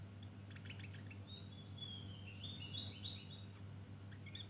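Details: Javan grey-throated white-eye singing a 'ngeriwik' twitter: a few clicky chips, then long thin high whistles and rising, falling slurred phrases, with sparse chirps trailing off above a low steady hum.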